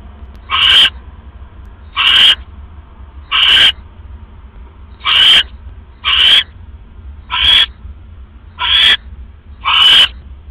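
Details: Owls at their nest at 3:40 AM on 5 October 2015 while a rat is brought in and the female carries prey to a feeding tray. Eight short, hoarse hissing bursts repeat about every 1.2 seconds over steady low hum.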